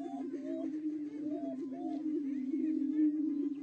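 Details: Greater prairie-chickens in Colorado give a steady, low, hollow moaning drone under rising, whooping calls and cackles from several birds at once.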